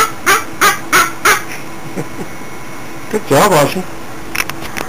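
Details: Pet cockatoo singing enthusiastically, uttering a series of short, harsh, voice-like squawks repeated roughly every third of a second, then a longer warbling phrase, indoors.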